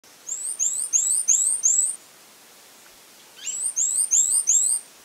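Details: Fawn-breasted tanager singing two short phrases, each a quick run of four or five very high, thin, upslurred whistled notes lasting about a second and a half, separated by a pause of over a second; quiet background.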